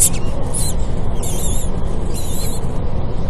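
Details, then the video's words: Common kestrel feeding newly hatched chicks at a nest in a building of The American University in Cairo; drawn-out, thin, high whining calls rise and fall in a few bursts above low steady rumble. "Common Kestrel feeding chicks"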